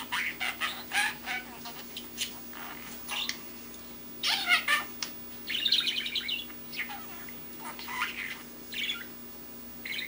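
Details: Young male pet budgerigar babbling while learning to talk, a chattering run of scratchy warbles and chirps that almost form words, in quiet bursts separated by pauses, over a steady low indoor hum.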